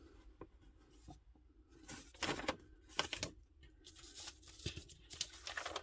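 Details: Paper tearing and rustling in a small indoor room, with soft tapping and handling noises and no animal calls.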